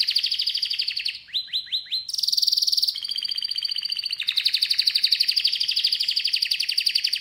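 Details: Canary song of dense rolling trills, with a short run of four falling, sliding notes near the start, then long rapid buzzing tours at varied pitches, loud and unbroken.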